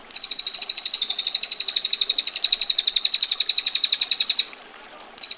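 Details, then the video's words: Rapid, sharp 'ngetir' trill of a female bar-winged prinia, a long roll of tightly packed high chips lasting over four seconds before a brief silence and a fresh start. "Prenjak Betina Gacor Ngetir Rapat Tajam Kasar Roll Panjang"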